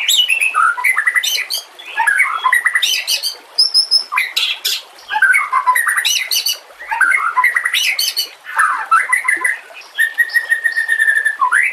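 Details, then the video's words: Murai batu (white-rumped shama) harsh 'nembak kasar' training song: dense, loud, scratchy bursts of mixed squawks, chatters and high sharp notes. These come in repeated outbursts separated by brief pauses. "masteran nembak kasar cocok untuk murai batu Kacer dan cucak ijo Murai Batu"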